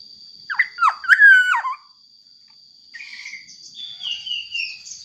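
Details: Black-naped oriole, a lure to make other orioles sing: loud fluty whistled phrase swooping down and up, then softer descending whistles, with a steady high tone throughout.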